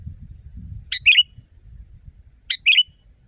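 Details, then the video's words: Sooty-headed bulbul, a loud natural recording used to train caged birds: two bright, bubbly phrases about a second and a half apart, each a sharp note followed by a short warbled flourish, with faint low rumble between them. "Masteran burung kutilang di tempat raja kutilang. Suara keras fulll alam"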